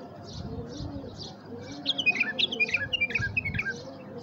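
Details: Tamed bulbul calling to rouse wild bulbuls: a fast string of clear, bouncing whistled notes fills the second half, following repeated low dove cooing and soft chirps.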